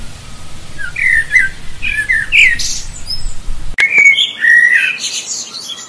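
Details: Common blackbird pouring out loud, fluty warbled phrases mixed with squeaky high twitters, nearly continuous, with a low hum behind and a sharp click part way through.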